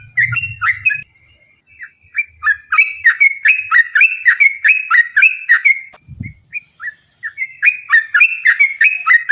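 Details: Long, rapid Yellow-vented bulbul song played to make other bulbuls sing: runs of quick bubbly whistled notes, a brief drop to a few sparse notes with a dull thump, then the rapid chatter resumes.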